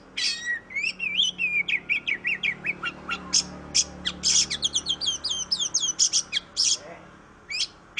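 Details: Kacer, the oriental magpie-robin, in a long, fast, varied song of crisp high whistles and bright chirps delivered in quick bursts with brief gaps, over a faint low background hum.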